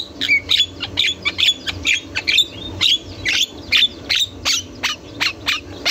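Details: Javan myna (jalak kebo) singing vigorously and nonstop in a training recording: a rapid series of short, harsh, squawky notes with sharp high whistles, about two per second, over a low steady hum.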